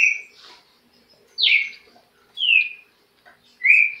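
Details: Separate loud whistles from a trinca-ferro (green-winged saltator), each a short downward slur, spaced about a second apart with quiet gaps between them.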